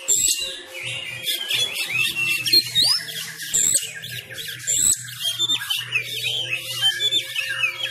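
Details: Fighting-style song of a Sumatran Oriental magpie-robin practising at home in Indonesia during COVID-19 restrictions: rapid, high, jumbled phrases of sharp whistles, upward slurs and harsh chatters pouring out continuously over a low electrical hum.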